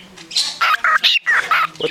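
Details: Parakeet at a shelter, described as a beatboxing bird, giving a run of short, loud, buzzy chirps and warbles, each cut off sharply with brief gaps, like rhythmic beatbox bursts.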